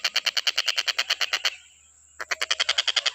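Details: Stork-billed kingfisher, used as training audio for other birds, utters quick harsh cackling notes, falls silent for about a second behind a faint high whine, then resumes the same rapid rasping series.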